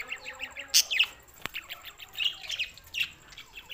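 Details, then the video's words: Budgies recorded June 7, 2024 in Larkana, Sindh: a series of short, evenly repeated chirps, a loud squeak, a sharp click, then soft warbling twitters. "lonely Budgies Barids"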